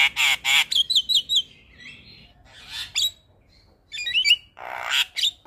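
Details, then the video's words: Javan myna calling in the morning to provoke replies from other mynas: two loud harsh squawks, a cluster of quick whistled notes, then a gap and further scratchy bursts with a twangy whistle. "Suara Panggilan jalak kebo Pagi Hari Bikin Jalak Lain Auto Respon"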